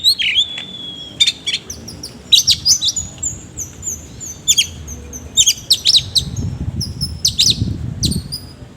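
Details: Oriental magpie-robin in full song with harsh mimicked notes: rapid series of sharp chips, whistles and buzzy notes repeated in quick bursts, with a low rumble in the background.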